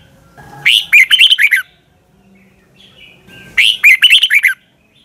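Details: Red-whiskered bulbul singing its morning training song, used as a decoy voice for other birds: two quick phrases of clear, fluty, warbling notes, each under a second long and about three seconds apart, with quiet between them.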